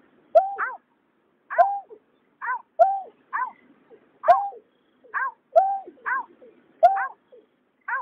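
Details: Male and female white-breasted waterhens recorded for luring migratory birds at night: rough two-part croaking notes, a low bent tone paired with a higher falling one, repeated steadily about once per second over a quiet background.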